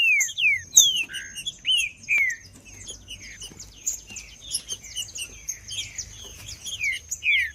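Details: Macheando song from green-winged saltator, played to heat up males: loud downslurred whistles at an uneven quick pace, interspersed with softer chips, above a constant high background tone.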